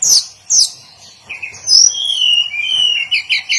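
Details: Hill blue flycatcher, daily song: sharp high downslurred whistles, then a run of clear sweet warbled phrases and quick slurred notes, fairly close and clean with little background noise.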